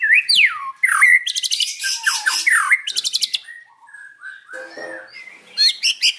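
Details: White-rumped shama singing in the afternoon, a full loud song: swooping whistles falling and rising, then dense rapid buzzy rattles high up, sliding whistled phrases and a final burst of sharp high notes.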